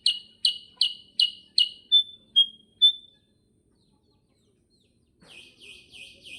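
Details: Sooty-headed bulbul gives five quick bright chirps followed by three thin sustained whistles, then falls silent before fainter chirps return near the end.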